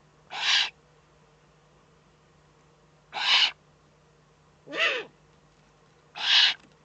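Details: Four loud, airy hisses from a Eurasian eagle-owl, Eifel, 3 May 2014, coming roughly every two to three seconds; the third has a rougher, lower-edged rasp. A steady faint hum runs underneath.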